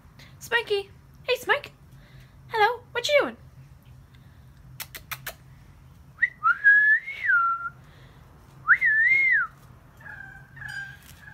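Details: Rainbow lorikeet talking and whistling: four short harsh, speech-like phrases at the start, a few sharp clicks, then clear whistled notes rising and falling, some drawn out, against a faint steady indoor hum.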